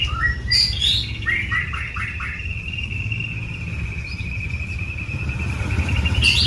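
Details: White-rumped shama giving a few quick rising notes, then one long clear whistle held steady for several seconds, with a steady low rumble underneath.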